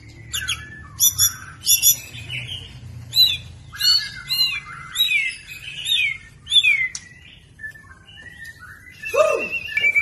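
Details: Young speckled white-rumped shama singing phrases that include cerucuk imitations: varied clear whistled phrases with sharp high notes and falling slurs in quick bursts, separated by short pauses, over a low background hum.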